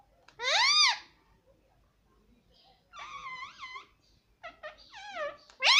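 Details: Pet rose-ringed parakeet indoors, taught to say "mummy papa": loud, nasal wailing syllables with rising-falling arches, some drawn out and some clipped in quick pairs, separated by short silences.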